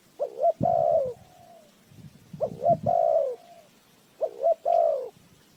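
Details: Cooing spotted dove, recorded as a trapping lure. Three phrases, each of two short upslurred notes and then a long, mellow coo that tails off. Soft low knocks and rustles sound between the phrases.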